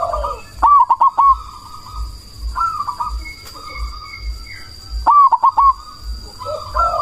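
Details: Zebra dove of the cemani variety singing as a lure to provoke other doves and raise breeding drive; two loud bursts of sharp clicks and rolled coos about four seconds apart, softer coos between, over a steady high tone and low thumping.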